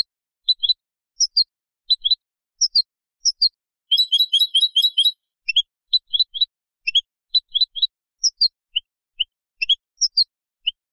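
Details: European goldfinch hybrid singing, a song used to teach young birds: short high twittering notes in spaced pairs, a dense tinkling burst near the middle, then more evenly spaced chirps; a clean background with no other sounds.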